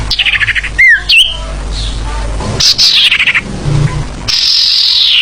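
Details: Lure sound of the sirfu, meant to attract other birds: buzzy high chattering runs, two quick looping whistled slurs, then longer harsh descending trills and a sustained high buzzy phrase over low background hum.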